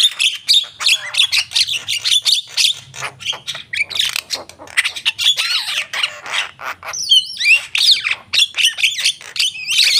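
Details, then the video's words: Energetic gacor singing by a Javan myna: a long, dense stream of harsh chattering notes and squawks, broken by a few swooping whistles, with a faint low hum beneath. "jalak kebo gacor"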